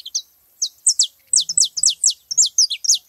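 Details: Saffron finches at a feeding spot deliver dense, bright, high chirps, each note sliding steeply downward, in quick irregular bursts throughout.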